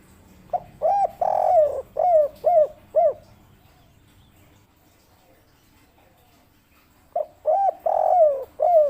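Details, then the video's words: Collared dove kept as a cage bird, singing the 'kuk 3' cendolo style: a phrase of six hollow coos with a long stressed second note, about four seconds of quiet, then the same phrase repeated. "suara derkuku kuk 3 cendolo Sabdo"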